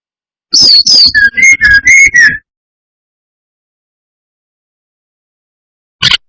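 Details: Brown-chested jungle flycatcher song used as a lure to provoke rival birds: sharp clicky notes, then clear whistles that step down from high to lower, sustained tones over about two seconds. After a long silence, another brief burst begins.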